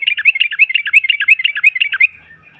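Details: Female yellow-vented bulbul giving ngropel, a provoking chatter: two seconds of quick, evenly spaced bubbling notes that swing up and down, ending in a faint fading tail.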